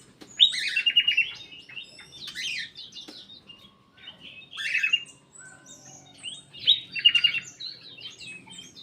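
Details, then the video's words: Aviary-kept black-capped bulbul: three loud, harsh bursts of tumbling warbled notes, roughly every three seconds, with softer chirps and a low background hum. "KICAU KUTILANG EMAS \ CUCAK EMAS GACOR"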